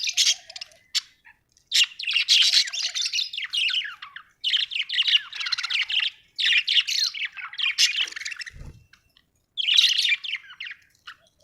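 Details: Happy budgerigar chattering in long, fast warbled bursts of scratchy chirps and squeaks, several seconds each, separated by short silences; one brief low thump near the end.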